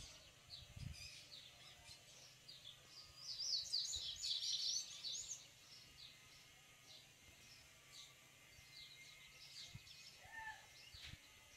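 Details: A free-living male yellow-bellied seedeater sings to his female, keen to nest; scattered faint high chirps build to a dense, loud burst of rapid twitters around the middle, then thin out again over steady background noise.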